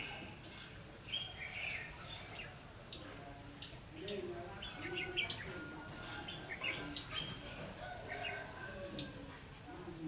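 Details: Red-whiskered bulbul at a trapping site, 9 December 2015, giving several quick, liquid warbled phrases spaced through the recording, with sharp clicks and a steady lower-pitched background of other sounds.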